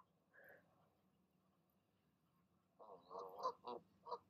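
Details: Mother goose calling goslings down from the nest in the evening: a soft, faint note, a long quiet gap, then a burst of four loud nasal honks.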